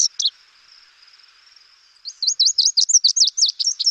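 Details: Lazuli Bunting song, Lake Tahoe area: after a brief opening note and a quiet pause, a fast run of high, sharp, varied chirped notes repeated about four per second, ending in a jumbled twitter.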